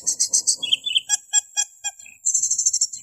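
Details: Cucak keling song meant as a training master for other caged birds and as a lure: quick stuttering high chatter, a series of evenly spaced clear whistled pips, then a fast, high rattling trill.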